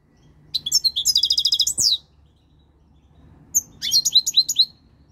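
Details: European goldfinch, a three-year-old caged male beginning to come into breeding condition, delivering a fast liquid twitter of rapid high notes, a pause, then a second phrase of bright chirping slurs, with low hum in the background.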